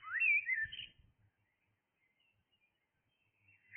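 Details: Single short blackbird song phrase at dawn, a clear whistled rising then falling flourish lasting under a second, followed by near silence with faint low thumps.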